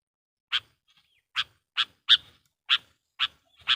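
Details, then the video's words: A sooty-headed bulbul gives lure calls to provoke wild bulbuls: seven harsh, rasping chips spaced irregularly about every half second to second, with low faint rumble beneath. "suara burung KUTILANG GACOR GARUDA bikin emosi kutilang liar"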